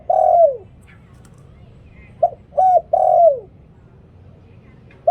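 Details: A decoy spotted dove repeating its 'liw tan' phrase: a long sliding coo ends one phrase, then a hoot, short arched coo and long descending coo follow, with another hoot starting at the close.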